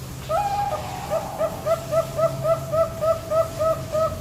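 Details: Zebra dove, a four-month-old Bangkok-type bird with a deep voice, giving a rapid run of short, even coos that rise and fall, repeated roughly three to four times a second after an opening longer note.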